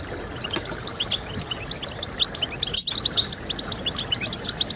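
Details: European goldfinch song played to stimulate other birds to sing: rapid high twittering of short chirps and trills, denser in the second half, with one brief gap near the middle over a faint low hiss.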